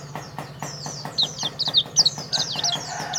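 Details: Rapid high-pitched twittering from a champion pleci, an Oriental white-eye of jetboy style from Karawang: quick slurred chirps tumbling downward in dense bursts over faint ticking and a low electrical hum.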